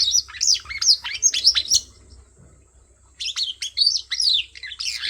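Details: Bird chirping: rapid high twittering notes and sharp downward sweeps in two busy bursts separated by a short quiet gap.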